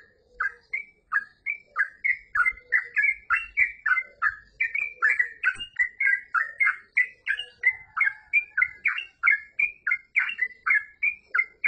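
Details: Long, unbroken run of Yellow-vented bulbul song, fast rhythmic chain of warbled, slurred notes, about three per second, varying slightly in pitch, with little else heard.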